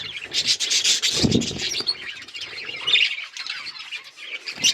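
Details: Colourful pet budgies chattering: raspy, scratchy warbles and squeaks from several birds, with a low rumble early on and softer chatter later.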